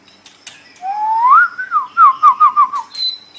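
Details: Murai batu, the white-rumped shama, singing in a masteran recording for training caged songbirds: a smooth rising whistle leads into a quick series of looping slurred notes, ending on a thin high tone.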